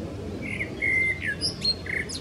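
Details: A male common blackbird sings one short phrase of mellow fluted whistles ending in a few high, thin squeaky notes, over a faint outdoor hiss; recorded 15 May 2016 at the Neeracherried wetland, Canton Zürich, Switzerland.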